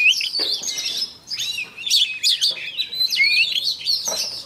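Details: Oriental magpie-robin lure bird singing each morning for voice training; clear whistled phrases broken by brief gaps, with bright upward slurs and scratchy chatter.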